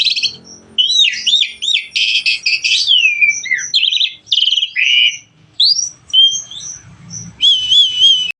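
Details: Starling singing vigorously: bursts of rattling buzzes and looping whistles, high thin whistled notes, a short pause, then wavering trilled whistles to close.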